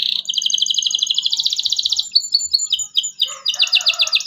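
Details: Local canary in lively 'cuit cuit' song, played so young birds learn to sing: a quick rolling trill that climbs slightly, then spaced sharp downslurred chirps and a final burst of ringing notes.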